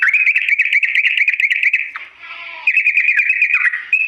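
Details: Sooty-headed bulbul's long, slow training song for imitation: steady pulsing warble of quick repeated notes, a short break with lower soft tones near the middle, then more rapid chirping ending in a held note.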